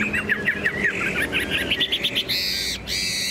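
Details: Tame caged Chinese hwamei singing from a carried cage; a brief series of quick whistled notes, about three a second, ending in a buzzy high sound.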